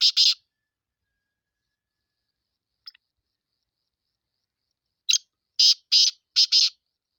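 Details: The end of one black francolin phrase, two rasping notes, then a faint chip and later a full harsh phrase: a short lead note and four grating, buzzy notes in rapid rhythm.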